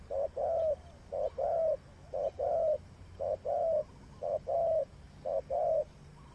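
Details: Decoy spotted dove used for trapping, cooing in paired phrases, a brief coo then a drawn-out mellow one, roughly once per second over a quiet background.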